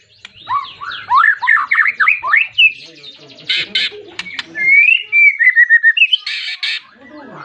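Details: White-rumped shama singing hard at a rival, a song used to provoke other shamas to sing; a fast string of rising slurred whistles, harsh noisy bursts, and a descending whistled trill of quick notes.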